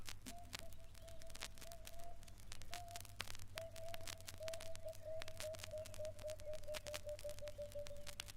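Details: Emerald-spotted Wood Dove in East Africa giving soft, hollow cooing notes that begin spaced out, then quicken into a rapid, slightly falling run, over steady low hum and crackling static.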